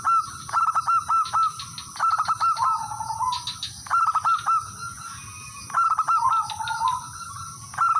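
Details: Local male zebra dove used as a lure to call rivals: steady phrases of quick stuttering coos followed by a drawn-out, wavering note, repeated several times, with frequent sharp chirps of other birds.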